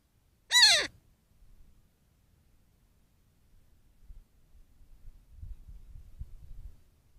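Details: Young Cooper's Hawk at a desert critter pond in mid-morning gives one loud, piercing, harmonic screech that slurs downward, followed by quiet low rustling and faint background noise.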